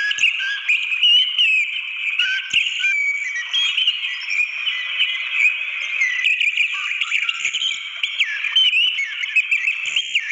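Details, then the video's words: Orange-headed thrush in natural surroundings with a waterfall, pouring out a fast, varied warble of clear whistles and upward-sweeping notes without pause, backed throughout by the even roar of falling water. "Masteran Anis Merah cocok untuk pancingan Anis Merah macet bunyi biar cepat ngeplong"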